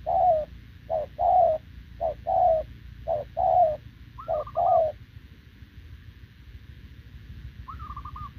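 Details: Spotted dove, wild-caught and short-legged, cooing together with a decoy bird on 6 November 2024. Steady short-long coo pairs run for about five seconds and then stop. Two higher rolling trills follow, the last one in near silence.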